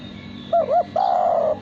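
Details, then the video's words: Male spotted dove cooing: two short, loud, bending coos followed by a longer level coo held for over half a second, over a steady low background hum. "Derkuku Suara Bersih"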